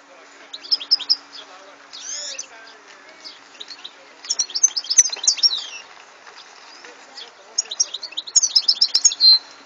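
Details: Song of a European goldfinch from 2014, delivered in separate bursts of fast liquid twitters and buzzy high trills, with short pauses between phrases and faint low background murmur.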